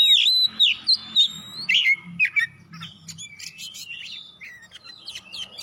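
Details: Oriental magpie-robin song used to prompt other birds to sing, with loud looping whistled notes repeated in quick bursts, then quieter varied chirps and warbles, a faint low hum beneath.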